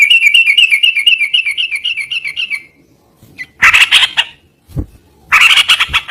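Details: Yellow-vented bulbul with a quick run of bright repeated chirps, then a gap and louder harsh, bubbling bursts broken by knocking sounds.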